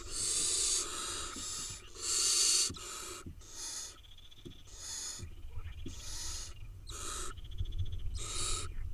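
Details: Wild barn owl nestlings in Israel, eight of them, keep up loud rasping hisses. Long bursts open the sequence, then shorter ones repeat, over a low rumbling background.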